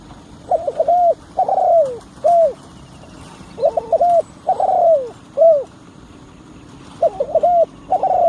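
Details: Spotted dove kept as a decoy to draw in wild birds, cooing in clipped two- to three-note phrases, each note arched and breathy, with faint constant background noise.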